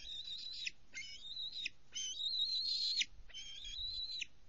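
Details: Bald eagles at a nest on 24 June 2020, in slow-motion footage, as a young female overshoots the nest and the adults deliver prey and a live fish: four long, high, whistled, wavering phrases, each about a second, with soft background noise.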